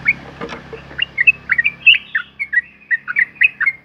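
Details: Sooty-headed bulbul singing a long 'ropel' lure song meant to set other bulbuls singing. Quick, evenly spaced bright whistled notes dip and rise, roughly four per second, over a low background hum.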